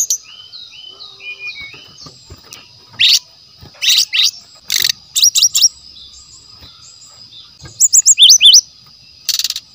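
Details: Brown-chested jungle flycatcher singing in the wild, a recording used as a lure for training other birds: scattered high sweet phrases and fast buzzy chirp bursts, with long pauses between them, over a steady high ringing tone.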